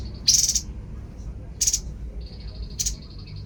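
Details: Babbler (tepus) calling: three short harsh buzzy bursts, each about a quarter second, spaced over about three seconds, against a steady high insect-like whine and low background rumble.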